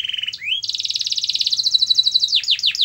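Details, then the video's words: Canary song played to prompt a quiet canary to sing: a steady whistled note, a rising slur, then a long rapid buzzy trill and a series of falling swept notes. "Kenari Anda MALAS BUNYI, Coba Putar Video Ini !!!"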